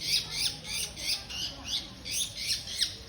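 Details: Long-tailed shrike singing harsh, scratchy bursts of notes, about two per second, each a rasping squawk-like phrase.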